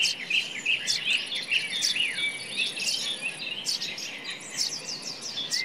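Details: Forest song of a common nightingale: a series of four or five evenly spaced whistled notes, then sweeping slurs and sharp chips, other birds calling and a faint high hiss throughout.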